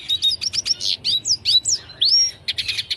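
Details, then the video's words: Red siskin singing a long, fast, high twittering song of sweet rising and falling whistles mixed with dry buzzy chips, delivered without pause. "BURUNG RED SISKIN GACOR DURASI PANJANG"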